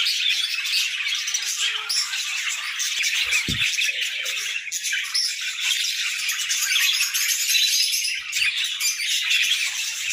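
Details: Morning song of budgerigars: a continuous, busy mass of high warbles, chirps and rasping squawks from several birds at once, with a brief low knock near the middle.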